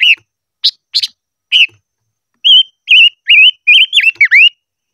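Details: Silver-eared mesia singing 'ché' style for voice training: a few sharp chirps, then clear whistled phrases, wavering and rising, ending in a dipping slurred whistle.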